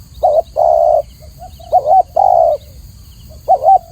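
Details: Spotted dove song recorded clear for training birds, locally tekukur: long steady coos alternating with short wobbling double notes, plus soft quiet notes in the pauses; steady high hum in background.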